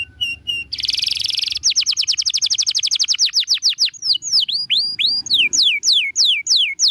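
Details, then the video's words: Training master song of a canary, with short whistles, a buzzy burst, a long rapid trill of repeated notes, then a series of looping down-up whistled sweeps. "MASTERAN KENARI SANGAT BAGUS UNTUK BURUNG ANDA."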